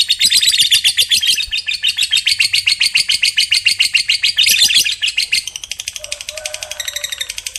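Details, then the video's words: Lovebird of the fighter type giving a long trill said to set other lovebirds singing: a rapid, sustained chattering trill of harsh high pulses, about four per second, fading at the end into softer chatter. "Suara Burung Lovebird FIGHTER Paling Dicari, ngekek panjang bikin Lovebird Lain Ikut Bunyi"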